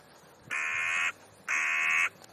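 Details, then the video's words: Crow giving two loud, harsh caws, each about half a second long, separated by a short pause, as if chattering in talkative conversation; nothing else heard beyond faint background hiss. "Krähenunterhaltung /crow`s talk"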